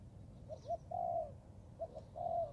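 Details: Young Thai-line spotted dove practising its cooing in the forest: short low hooted notes lead into a long drawn, slightly falling coo, with the phrase heard twice over a quiet rural background.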